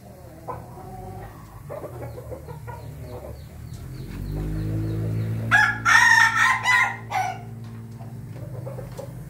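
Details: Ayam Ketawa rooster crowing on 20 May 2024: a burst of stuttering, choppy crow syllables lasting under two seconds, preceded by soft clucking and a low engine-like hum that swells in the background.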